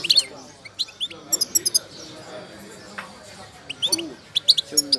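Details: Moroccan goldfinch of the wydani type, described as wild-caught, singing while in moult: scattered short, high twittering phrases and sharp chirps separated by quiet gaps, with faint low chatter in the background.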